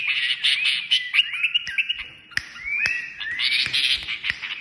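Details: Kashmiri songbird giving harsh warbled phrases and several long rising whistled slides, with scattered clicking noises.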